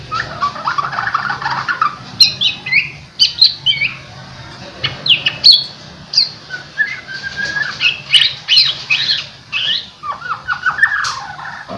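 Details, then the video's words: Trained white-rumped shama singing in gacor style: a lively, near-continuous stream of mixed whistles, rapid trills and piercing high notes, changing phrase every second or two. "MURAI BATU. LATIHAN SUARA AGAR KELIATAN GACOR EMOSI TERLATIH"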